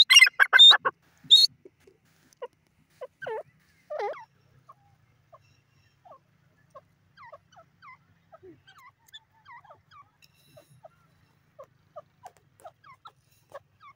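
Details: Grey francolin, locally called teetar: several loud, harsh, rasping bursts packed into the first second and a half, a shorter harsh note near four seconds, then a long run of faint, scattered short chirps.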